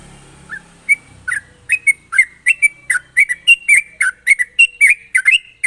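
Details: Sooty-headed bulbul in fast ropel song, meant to draw other bulbuls into singing. After a faint low hum at the start, a continuous rush of rising and falling bubbly whistles follows, roughly three notes a second.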